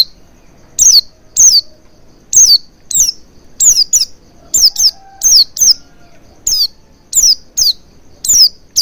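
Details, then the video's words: Oriental white-eye calls played to get a bird singing quickly: bright, shrill notes falling sharply in pitch, given singly and in close pairs at a brisk, uneven pace. "Pancingan Burung Pleci Agar Cepat Ngalas & Buka Paruh Maksimal"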